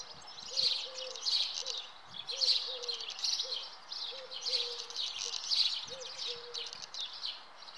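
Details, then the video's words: Common house martin at the nest, giving bursts of high chirping twitter in regular pulses, alongside a lower, repeated short cooing or whistled note underneath. "Common house martin (Delichon urbicum) - Nest"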